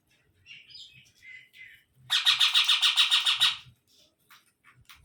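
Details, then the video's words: Baby parrot: a few soft chirps, then a loud run of about a dozen rapid, grating squawks, followed by faint clicks. "Baby Parrot Sounds"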